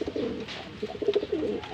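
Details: A pigeon coos while being paired for breeding. The coo is a deep, warbling rumble in two phrases, the second pulsing in short throbs.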